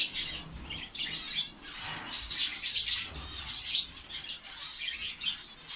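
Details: Many finches in a colony in Saudi Arabia twitter without a break: sharp high tweets and brief trills stacked on top of each other, with a faint low rumble underneath.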